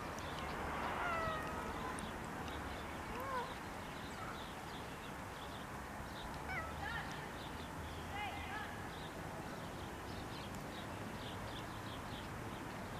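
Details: Common mynas among groundsel plants at Kiryat-Yam, Israel, give scattered short whistled and slurred notes, some rising and some falling, spaced a few seconds apart over steady background rumble and hiss.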